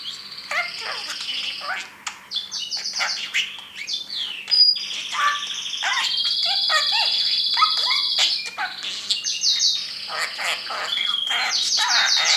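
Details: Caged pet parrot talking and chattering: rapid run of harmonic speech-like syllables interleaved with long flat high whistles and clicks, nearly continuous for twelve seconds.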